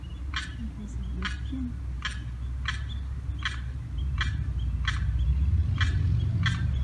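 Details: A lost Limpkin chick calls for its mother and sibling on the far side of a fence, 4th of July: nine steady, harsh repeated notes about every 0.7 seconds over constant low background noise.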